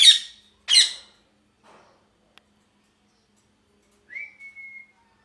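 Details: Two loud rasping squawks from a parrot open the passage, followed by a pause, a faint click, and a clear rising then level whistled note.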